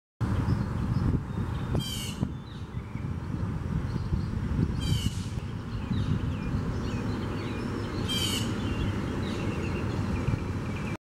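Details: Blue jay (Cyanocitta cristata) at Tattnall Square Park on April 30, 2015, giving three harsh, nasal jeers about three seconds apart, over a steady low rumble of traffic and faint chirps from other birds.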